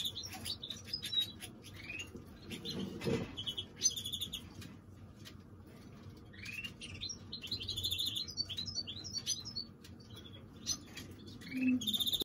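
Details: Long, varied song of a greenfinch mule: scratchy twitters, quick chirp series and ringing trills in bursts, a brief low thump near the start, steady background hum.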